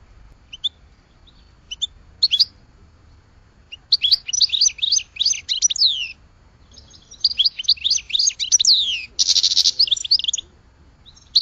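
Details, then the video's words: Scattered high goldfinch chirps build into two bursts of fast liquid twittering, the second ending with a harsh buzzy note. "Goldfinch Song to Educate Newcomers to Their Call"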